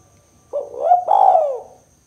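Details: A single 'kuk 2' coo from a spotted dove, played to lure and prompt birds: a short throaty note rising into a sustained, rolling coo that slides downward before fading. The background is quiet.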